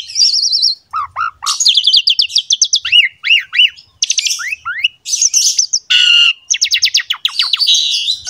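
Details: Asian pied starling song meant to set other starlings singing: a trilled whistle, low paired notes, a rapid run of buzzy ticks, repeated arching slurs, a harsh rasp and a fast stuttering series.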